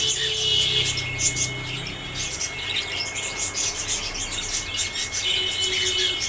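A cockatiel gives quick, high chirping calls in repeated bursts over a steady electronic whine.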